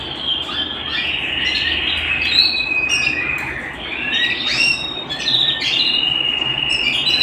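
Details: Domestic canary singing a long held whistle broken by rapid trills and sweeping slurred notes, continuing steadily at home.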